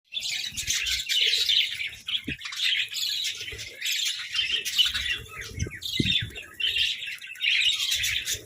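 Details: Captive budgerigars chirping while squabbling playfully over food treats; dense, overlapping warbled chatter and squawky notes run almost without pause, with a few low knocks underneath.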